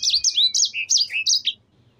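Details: Yellow-fronted canary (sanger) in lively, persistent 'gacor' form: a quick string of high, looping whistled notes, each swooping up and down, about six in a row over one and a half seconds, then silence.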